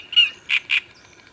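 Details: Great reed warbler on the bank of the Sviyaga River, 25 May 2017: a brief burst of three harsh, grating notes, the first longer and more tonal, the next two short rasping chirps about a quarter second apart, over a quiet background.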